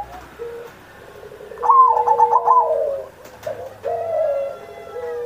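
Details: Zebra dove, a training master for pet perkutut, recorded in Indonesia on Independence Day. Quieter phrase: a quick run of stuttered coos, then soft sliding lower coos, with a long level note beneath and background murmur.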